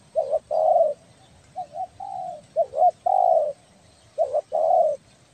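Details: Tekukur belah dada from Kepri, a spotted dove calling for luring: clear repeated phrases of a quick two-part coo followed by a rich sustained coo, about four phrases over a faint hum.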